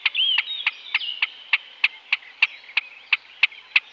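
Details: Great crested grebe (Podiceps cristatus) giving a fast, regular series of sharp, high clicking notes, about three per second, over a thin whistled tone early on.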